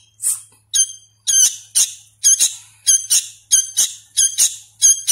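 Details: Sooty-headed bulbul nestling, hand-reared and still learning to call, begging with a rapid series of harsh, screechy, high notes, often in quick pairs, almost continuous.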